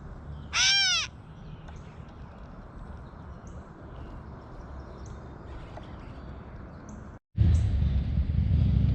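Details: Gray catbird giving a single cat-like mewing call, a short downward-arched nasal note early on, followed by a long stretch of low rumbling background noise and a sudden louder burst of noise near the end.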